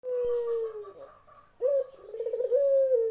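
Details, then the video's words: Dove cooing: a long, smooth, low coo that slowly falls, a short pause, then a rougher, wavering coo ending in a steady held tone. "SUARA BURUNG PUTER YANG MENYEJUKAN"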